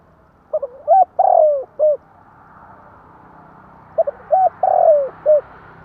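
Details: Tame spotted dove kept for luring birds repeats its cooing phrase twice, clipped notes then a long sliding coo and closing hoot, against a steady soft hiss.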